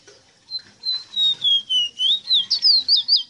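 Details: Rosita bird song: a steady series of about ten clear whistled notes, gliding downward at first, then turning into faster, looping, twisting phrases at the end.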